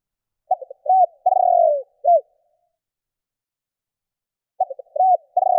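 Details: Spotted dove call used to stir up rival doves. A phrase of quick stammered coos is followed by a long falling coo and a short closing note. After a silent gap, a second phrase begins. The background is clean.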